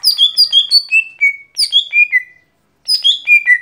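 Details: Daily singing of a lesser green leafbird (cucak hijau gotri): a rapid run of bright, chirpy whistled notes falling in pitch, then a second descending phrase and, after a pause, a third, all crisp and loud.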